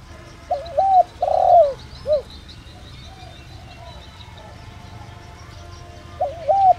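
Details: Caged decoy spotted dove, 'đồng rặc' voice style, used to lure wild doves: one full coo phrase ending in a short dropped note, a long pause, then the opening of the next phrase. Faint chirping lingers in the background.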